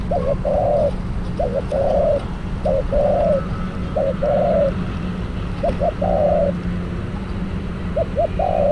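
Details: Spotted dove kept as a decoy bird for trapping, calling repeatedly: low, mellow cooing phrases, each a few short notes followed by a longer rolling coo, repeated every one to two seconds over a steady low hum.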